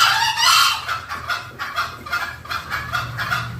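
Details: Lure recording of green junglefowl, meant to attract them. A loud, rasping burst opens, then a string of softer clucks follows at roughly two per second, with steady low background hum.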